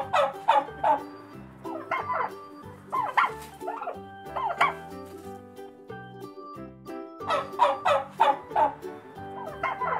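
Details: Turkey gobbling: rapid, rattling bursts of several quick notes each, repeated about every one to two seconds with a short pause midway, over cheerful background music.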